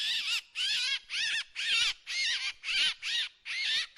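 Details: Drongo lure sound with harsh, broad, scratchy notes that sweep downward, some paired closely, given roughly twice a second with uneven spacing.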